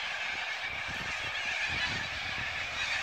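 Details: Evening roost of thousands of corellas along the Onkaparinga river: a steady wall of grating, high screeching from countless birds calling at once, continuous throughout.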